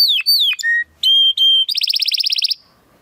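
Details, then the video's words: Timbrado Español canary, a male bred in 2020 from rated parents, singing a training song for other canaries: downward whistled slurs, steady pure whistles, then a fast metallic trill before silence. "Your Canary will sing immediately - meet Mr. Six ! - Canary 's Training Song"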